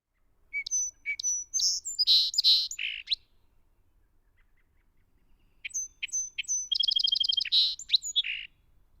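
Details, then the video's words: Song Sparrow singing twice, a spring song shown alongside its alarm and contact calls: a few clear, sharp opening notes, then a rapid buzzy trill and a jumbled ending, each phrase about three seconds long. "So the song sparrow, I love the song sparrow call."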